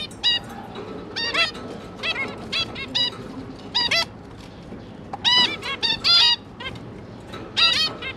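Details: Two adult zebra finches feeding three juvenile babies, 5 September 2022; crisp nasal honks in spaced clusters of two or three separated by quiet gaps.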